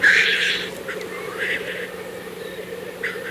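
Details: Black grouse lekking in April 2024 in Kologriv Forest, Russia, give a loud sneezing hiss at the start, followed by quieter hissing bursts over a steady low bubbling drone.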